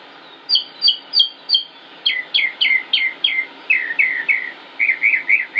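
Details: Northern mockingbird singing in Concord, North Carolina, United States, on 25 May 2016, a long varied performance: a phrase of sharp high notes repeated four times, then a lower slurred note repeated in quick series, then rolling burry notes.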